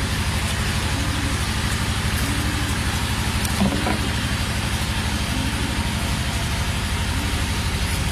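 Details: A vehicle engine idles loudly with a steady throbbing rumble throughout, and no animal calls.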